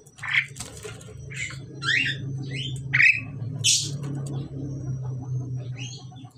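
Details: Over a steady low hum, a male and female Pied Myna during pairing give a quick series of short, harsh chattering squawks and chirps.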